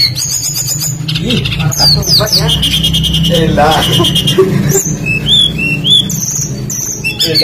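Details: Energetic tledekan song used as a lure for other birds: fast sequences of whistled upslurs and downslurs, buzzy trills and clipped chirps, with a constant low hum and some voice-like sounds underneath.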